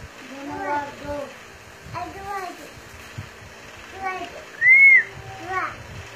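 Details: An Alexandrine parakeet (Pakistani Raw parrot) talks in short, nasal, slightly squeaky speech-like bursts, saying phrases such as "Mito", "Go Nawaz go", "one, two, three" and "Bismillah", plus one loud rising-falling whistle near the end.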